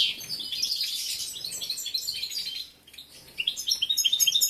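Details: Male European goldfinch in full breeding condition, caged competition bird, with continuous high twittering and trilled phrases over a low background hum, a short pause, then a rapid run of repeated chirps.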